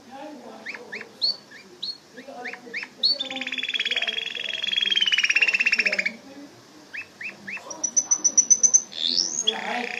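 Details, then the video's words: A canary sings scattered short chirps, then a long buzzy roll lasting about three seconds, then more chirps and a thin, rapid, high pulsed trill, over a faint mottled background murmur. "صوت طائر الكناري canary bird sound"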